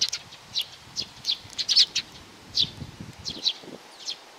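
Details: A young sparrow chirps in quick, high, clipped notes, bunched in small bursts with brief pauses, over a soft low rumble.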